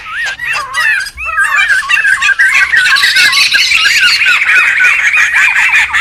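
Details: Laughingthrushes calling noisily in the wild, for luring and tutoring cage birds: squiggly up-and-down whistles tumbling over one another amid continuous scratchy chatter.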